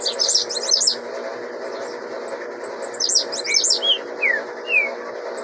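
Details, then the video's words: Young blue-black grassquit singing, reportedly about 26 songs per minute: bursts of rapid, high, thin buzzy chirps come in clusters, with a few short descending whistles after them, over a steady low hum. "Tiziu filhote 26 canto por minuto ?"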